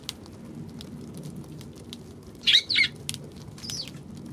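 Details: Eurasian tree sparrow recorded on 16 March: a short burst of two or three sharp, high chirps midway through, with scattered faint ticks and a low background hum.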